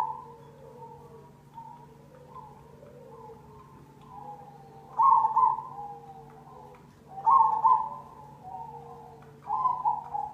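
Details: Zebra dove (perkutut cemani) lure recording: soft, gentle coos at first, then three louder trilled coo phrases every two to three seconds, with a faint hum underneath.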